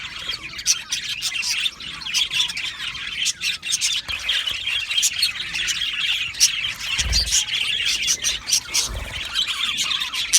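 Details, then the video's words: Happy budgerigars in an aviary: a long stretch of dense high chirping and squawky chatter from the flock, with a couple of low dull thumps near the end. "Happy Budgie birds chirping sounds"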